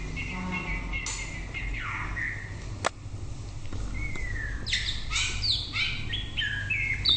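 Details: White-rumped shama song of varied phrases: descending slurred whistles, a long gliding note, then a quick run of high stepped whistles and rising notes toward the end, with low background rumble.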